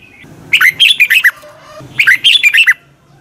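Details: Red-whiskered bulbul morning song for training caged birds: two matching phrases of quick, loud, slurred notes about one and a half seconds apart, with faint low background noise.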